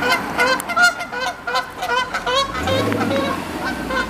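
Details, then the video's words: Canada geese fighting and attacking each other on a road, honking loudly at one another: dense overlapping nasal honks, several birds calling at once in rapid irregular bursts, with a low engine rumble entering partway through. "Canada Geese HONKING FIGHTING on Road"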